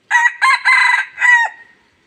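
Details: Red junglefowl used as a decoy to attract others, Laos: one complete crow in four loud segments, a short opening burst, then a longer rasping middle section and a final drawn-out note that falls away. No other sounds intrude.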